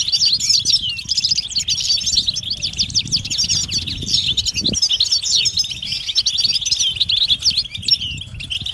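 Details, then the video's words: European goldfinch mating and readiness calls, meant to stir silent males into singing: dense, fast, high twittering of tinkling notes and buzzy trills running without pause, with soft low rumbling underneath. "بتبتة الحسون علاج سكوت الحسون نذاءات التزاوج والتجهيز"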